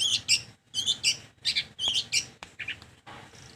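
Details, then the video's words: Long-tailed shrike giving paired, high, scratchy chirps in quick groups. Each group lasts under half a second, and the groups repeat about once a second before fading into softer rasps. "Ocehan Burung Cendet"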